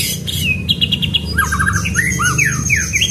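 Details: White-rumped shama pastol-style training song with rolling 'shot' rhythm: a quick row of short high whistles, then looping slurred notes, over a steady low hum.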